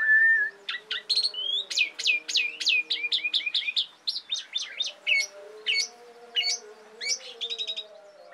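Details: Asian pied starling in full song, a recording for tutoring and luring songbirds: a long whistled note, then a rapid flurry of sharp downslurred chirps, tapering to spaced notes over a low hum.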